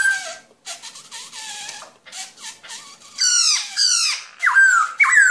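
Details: Black-throated laughingthrush (Garrulax chinensis): varied whistled notes. Early phrases are lower and wavering. Later come loud, rich, down-slurred whistles with strong harmonics, spaced about half a second apart.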